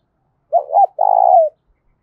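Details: A single loud fighting-challenge phrase from a spotted dove, ringing and resonant: a quick wavering double note, a brief gap, then one long steady low coo that falls slightly at the end. No other sounds.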